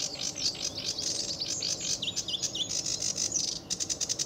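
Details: Sedge warbler singing at RSPB Fowlmere on an early July 2013 morning under blue sky and sun: a lively, fast, chattering stream of high notes with a few repeated downward-swooping whistles in the middle.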